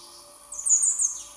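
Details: A hungry young common blackbird gives a thin, very high, hissing squeal lasting under a second that slides down at the end, over a faint steady hum.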